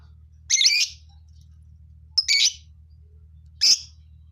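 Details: Lovebirds in a colony: short rasping squawks, two broad and scratchy, the last a brief sharper note, with quiet gaps between.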